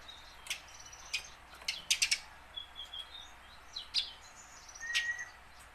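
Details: Tame house sparrow, used to encourage captured sparrows to start singing, mixes scattered sharp chirps with a few thin, level whistles at irregular intervals, against a faint steady hiss.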